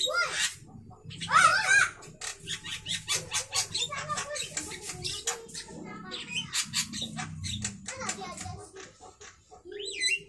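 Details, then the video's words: Javan myna at midday pours out dense, varied chatter: wheezy whistled slurs, harsh rasps and rapid clicking bursts running almost continuously. "suara asli Burung jalak kerbau Siang Hari"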